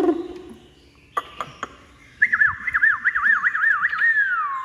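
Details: A newly arrived caged male-style hwamei, just out of its transport box and not yet used to its owner, sings loud, rapid looping whistles that swoop up and down, after a quiet start with a few sharp clicks.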